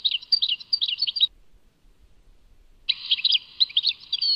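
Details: European goldfinch song, Tadmait: short bursts of liquid, bubbling chirps for about a second, a pause of silence, then more tinkling twittered phrases.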